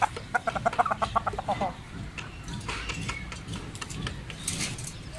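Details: Large Persian rooster opening with a rapid string of clipped clucks, then quieter scattered sounds and shuffling noise for the rest.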